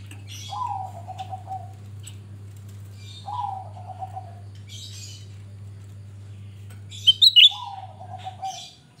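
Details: Grey-bellied bulbul singing briskly as a lure for trapping or prompting birds: low, falling whistled phrases repeated roughly every three seconds, broken once by a loud trill of high sharp notes, over a continuous low hum.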